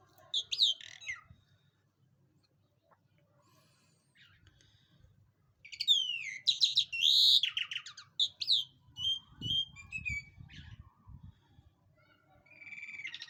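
A lark sings in rich bursts of twittering, slurred whistles and quick buzzy trills, high-pitched and varied, with a faint low rumble in the background.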